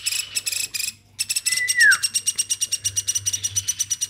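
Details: Woodpecker, hand-reared since a chick, keeps up quick high chattering notes indoors, broken by a brief pause, with a clear descending whistle sliding down midway through.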